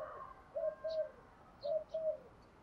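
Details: Faint spotted dove cooing, played to provoke decoy doves. Two pairs of low, slightly falling coo notes sound amid hiss, with short high chirps from other birds between them.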